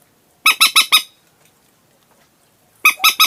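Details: Common moorhen squawks used to lure birds at night, heard as a tight run of four loud, nasal notes, a pause of nearly two seconds, then three more.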